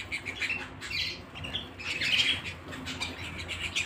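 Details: Canary kept at home, giving short broken phrases of high chirps and squeaky notes, louder in the middle, with gaps between bursts.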